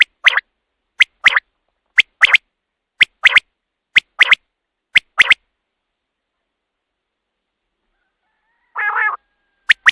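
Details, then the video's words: Common quail call for luring birds at night while hunting: clipped triple notes, a lone note then a rapid pair, come about once a second, then stop. After a silence one nasal, rasping call follows. "batair ki awaz raat k liye | quail calling | رات کے لیے بہت ہی اچھی آواز"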